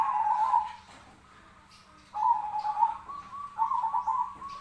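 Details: Fighting call of a zebra dove, recorded as training material for birds: a trilled, bubbling coo, a pause of about a second, then a longer rolling series of coos. A faint constant hum sits in the background.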